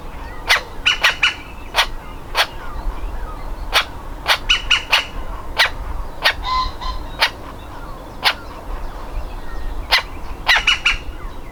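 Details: Woodpecker nestling ready to leave the nest, straining to get out of the hole: sharp, clicky calls spaced irregularly, some in quick doubles and triples, over a faint background hum.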